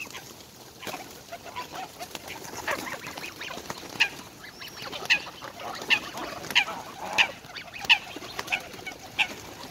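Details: Four greylag goslings near their parents, calling greedily while demanding food as they are fed. They give thin, high peeps repeated about every half second to second, over rustling and background noise.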